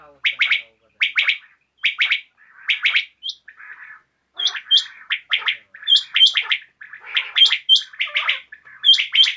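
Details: Common quail (batair) in the evening, with rhythmic triple-note phrases of sharp whistled notes repeated about once a second, higher thin notes joining later as calls overlap.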